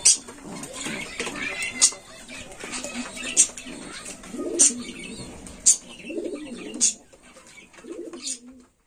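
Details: A young Indian Lotan pigeon gives soft, low cooing phrases that swell and fade every second or so.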